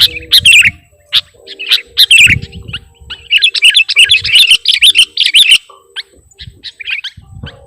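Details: Energetic sooty-headed bulbul (kutilang) song packed with mimicry: scattered sharp chirps, then a long, dense run of twittering, warbled notes, ending in sparse calls.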